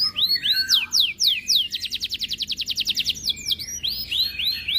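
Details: Canary in breeding condition, aggressive toward other birds' sounds, sings arched whistles and downslurred notes, then a fast even trill of about twenty notes, ending in more whistled arcs.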